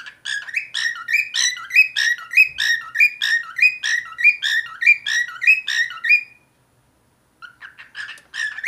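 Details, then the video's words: A cockatiel whistles a rapid, chattering series of bright warbled notes for about six seconds, then pauses before starting again. "cockatiel singing whistling talking"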